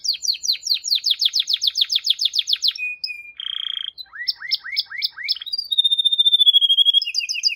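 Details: Canary singing a varied song: a long run of repeated descending notes, a buzzy roll, rising chirps, then a slow falling whistle over a quick trill.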